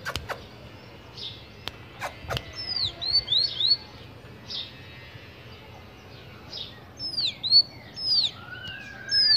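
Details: Tanager giving high, thin slurred notes in short clusters, some sweeping up and down, with a lower rising whistle late on, over faint background noise and a few knocks.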